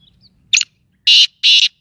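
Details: Sindhi Pakistani black francolin: a brief rough burst, then two loud, harsh, grating notes about a third of a second apart, each broad and buzzy, on a quiet background.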